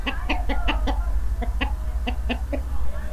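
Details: Hens cackling in early autumn in the countryside village of Sochy, Roztocze, Poland: quick clipped notes about five a second in two short bursts over a steady low rumble of wind.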